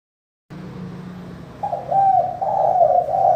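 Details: Spotted dove giving a crystal-clear manggung coo, used as a lure to get reluctant doves calling; after a quiet low hum, hoarse mellow coos start at mid-clip and run on in a rolling, slightly falling phrase.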